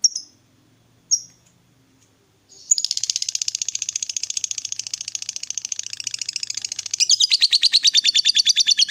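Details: Fighter lovebird in long ngekek chatter, used as a lure to get a quiet lovebird singing: a few sharp chirps, then a fast, dense, buzzy trill repeated about three times per second that grows louder near the end.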